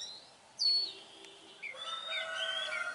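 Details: Wild Oriental magpie-robin song from Vietnam, a loud downslurred whistle followed by a short rising note, then a denser run of warbled, varied phrases with overlapping higher chirps.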